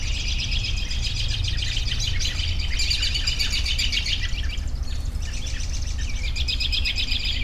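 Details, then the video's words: Dense high trilling and twittering from many birds, a short dip in activity midway, then renewed rapid trills over a low constant hum. "10 Minutes of Bird Sounds for Relaxation"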